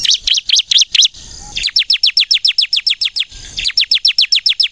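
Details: Crystal ciblek, a bar-winged prinia, singing vigorously as a decoy to trigger others: rapid high downslurred chirps repeated about three to four per second in steady runs, broken by two brief pauses with faint rasping.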